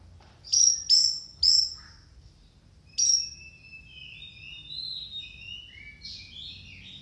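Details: Orange-headed thrush giving three loud, sharp, high notes in quick succession and a fourth after a pause, followed by softer, lower whistled slurs and warbling phrases.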